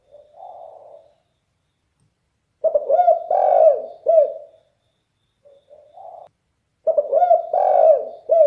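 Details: Derkuku or spotted dove, praised for a bass-toned, very loud voice. It gives two full cooing phrases, each a soft introductory coo followed by loud, rolling, throaty notes. A quiet pause separates the phrases.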